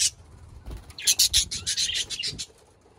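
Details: Budgerigars chattering in a quick run of bright, high chirps, about a dozen short notes packed into under two seconds, over faint background hum.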